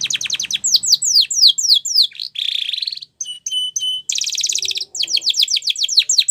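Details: Spanish Timbrado canary singing a training song for young canaries: fast runs of descending whistled sweeps, a buzzy trill, clipped metallic notes, then more rapid falling sweeps.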